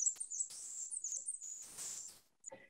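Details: A Black-and-white Warbler, a wood warbler of the forest canopy, sings a very high, thin series of squeaky paired notes quickly repeated like a turning squeaky wheel, followed by a brief lower sound at the end.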